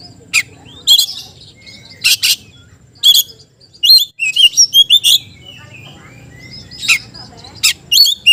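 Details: Oriental magpie-robin challenging a rival: clipped sharp notes and short whistled chirps in loose clusters, a brief fast run in the middle, low background hum throughout.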